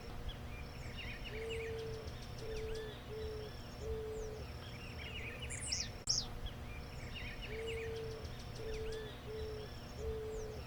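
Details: Eared dove (Zenaida auriculata), a gregarious Brazilian bird, cooing low and soft: one drawn-out coo then three shorter ones, the phrase repeated, over busy chirping of other small birds.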